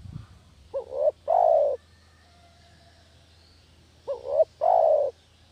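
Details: Lure sound of a village spotted dove for catching doves, two phrases about three seconds apart, each a brief quavering two-part coo leading into a longer, mellow, downward-sliding coo; a low hum runs underneath.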